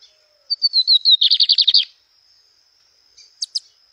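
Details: Song of a Lined seedeater in a natural setting: slurred descending whistled notes quicken into a rapid rattling buzz of about ten pulses, then silence, followed by two quick high chips near the end.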